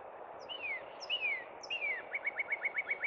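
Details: In spring at Cub Run, a Northern Cardinal sings three clear, down-slurred whistles, then a quick run of short chips, over a steady background hiss.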